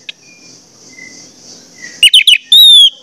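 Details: Orange-headed thrush song used to coax others into song: after a quiet start with faint high tones, three rapid buzzy notes lead into a long descending whistle.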